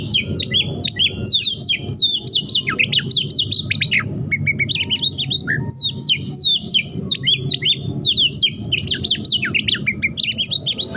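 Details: Caged Oriental magpie-robin of the hot-tempered type pouring out tightly packed imitated phrases, fast jagged whistled notes in long bursts with brief pauses, over constant low-pitched room rumble.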